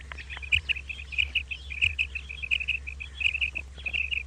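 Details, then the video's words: Common quail (batair) calling in the morning: a dense run of short, sharp, high chirping notes repeated rapidly and fairly evenly throughout, with steady low background hum. "Common Quail Calling Batair Ki Awaz"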